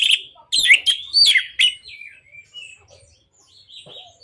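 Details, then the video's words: Song of an orange-headed thrush, played to prompt silent birds to sing: a few loud, squeaky slurred whistles in quick succession, fading into softer scattered notes. "Terapi Anis Merah Bisu | AM Macet Jadi Gacor Coba Di Putarkan Suara AM Ini"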